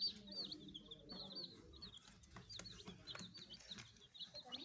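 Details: Several baby chicks chirp in quick overlapping high peeps, short upturned and downturned sweeps in clusters, over faint low rumbling and soft taps.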